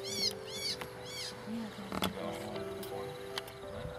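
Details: Phainopepla caught in a net for banding in Shoshone Village, California desert, in February, gives three loud, harsh, arching screams about half a second apart, imitating another bird's call; unhurt; a person then talks over soft music.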